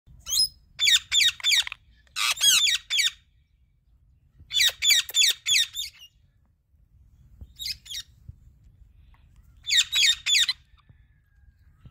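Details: Indian ringneck parakeet, a talking bird: bursts of harsh, high, rapidly repeated squawking notes in short runs with pauses between, over a low background rumble.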